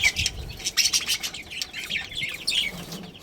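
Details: A budgie colony with a breeding pair, giving rapid high warbled chirps and short squeaky notes in quick succession, with soft wing flutters underneath.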